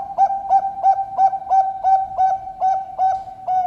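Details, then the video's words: Bangkok-strain zebra dove bred for song contests in Sidoarjo, East Java, Indonesia, with a deep, thick-voiced rhythm: about eleven short, even cooing notes repeated roughly three times a second in a steady, regular beat. "PERKUTUT BANGKOK IRAMA SUARA TEBAL"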